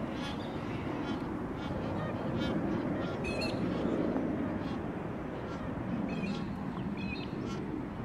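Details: Magpie geese feeding in a big flock near Darwin give a constant mass of low honking calls, over which other birds add sharp upslurred whistles and rapid chattering notes.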